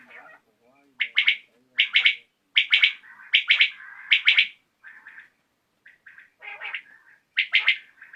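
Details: Evening recording of common quail, known locally as batair, made in a hunting setting: loud, crisp bursts of two or three notes repeated about once a second, then softer scattered notes, in a quiet background.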